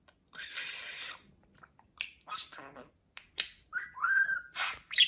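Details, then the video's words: Pet budgerigar gives a long hissy, breathy syllable, then choppy word-like chatter and a clear wavering whistle before a final high squeak. "Konuşan Muhabbet Kuşu"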